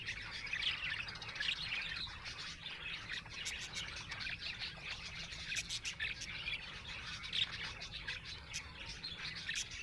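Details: Happy budgerigar chirping: busy, overlapping high twitters and short squawky notes from several birds, running without a break for ten seconds, with a few sharp clicks and a low background hum.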